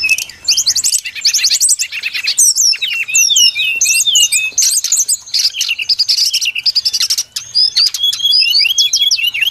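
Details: Brown-chested jungle flycatcher singing in a lure recording for trapping birds: busy high-pitched medley of curling whistles, quick chirps and downslurred notes, delivered in bursts with short pauses.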